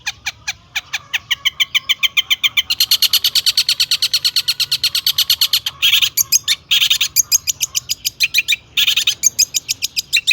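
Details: Lure song of a long-tailed shrike, loaded with copied phrases to trigger rival shrikes: a sustained, rapid chatter of buzzy high notes running throughout, growing denser and harsher midway, with short gaps.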